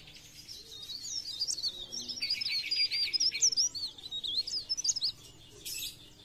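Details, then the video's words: Chestnut-capped laughingthrush in full lively song, used as a lure sound for trapping: a rapid run of high, twisting whistled notes, loudest in the middle, followed by a short buzzy burst near the end. "Cikrak daun | pre pare | blereng gacor untuk pancingan bunyi"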